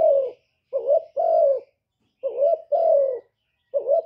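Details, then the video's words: Low, soft cooing of a spotted dove: a falling croo, then two phrases of short note plus long steady croo, and the start of another, with roughly half-second gaps between phrases in quiet surroundings. "TIẾNG CU ĐẤT, CU CƯỜM GÁY, CU GÁY CHU LÈO, CU GÁY CÀ LĂM, TIẾNG CU ĐẤT, CU GÁY KÍCH BỔI, CU GÁY GÙ"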